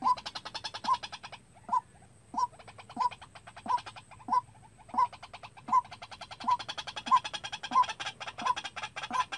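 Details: Decoy white-breasted waterhen trained to call unaided, used for bird trapping. It gives a long run of clipped, identical notes roughly every 0.6 seconds, over a continuous buzzing rattle of rapid clicks.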